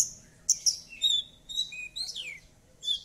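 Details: Javan bush lark song meant to make a silent bush lark join in: a varied run of high piercing chips, sliding whistles and buzzy downward sweeps, loud and continuous.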